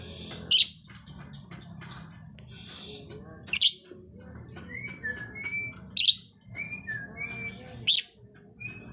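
A female lovebird gives four loud, shrill, harsh screeches, about two to three seconds apart. Faint short whistled notes from other birds are heard between them.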